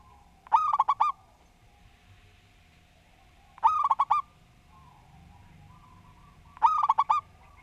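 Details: Structured song of a persistent local zebra dove. Three identical phrases of quick bubbling coos, each lasting about half a second and repeated roughly every three seconds. Quiet pauses fall between them, with a faint low hum beneath.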